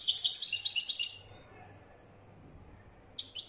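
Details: European goldfinch of the wedani type ending a quick tinkling twittered phrase, followed by silence and a short pair of high chirps near the end.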